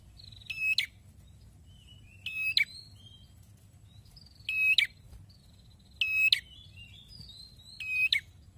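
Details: Singing red-headed prinia, very active: five strong buzzing phrases at fairly even intervals, each one a steady rasp ending abruptly, with faint slurred whistles from other birds between them.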